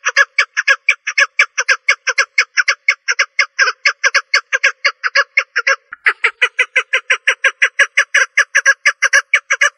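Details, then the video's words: A female partridge gives a fast, steady run of harsh, clucking notes, about four or five a second, with one brief break midway. "En Güzel Dişi Keklik Sesi"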